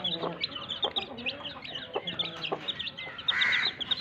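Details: Broody hen sitting on eggs: low, short clucks at about 0.3, 0.9, 2 and 2.6 seconds beneath a steady chatter of thin, high peeping chirps, with a brief rustling burst near 3.4 seconds.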